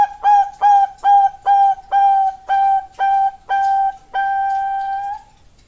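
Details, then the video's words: Female Bangkok zebra dove calling to a male, played as a lure: a steady series of eight clear, fluty cooing notes, about two each second, ending on one longer, drawn-out note. "Master dan Pancingan Perkutut Bangkok"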